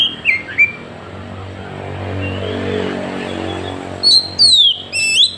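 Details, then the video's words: Oriental magpie-robin recorded on an Android phone in Woncoyo village, Trenggalek: two short whistled slurs at the start, a quiet stretch with low background hum, then a burst of sharp, high descending whistles near the end. "Tembakan kacer paling di cari sekali bunyi langsung bongkar"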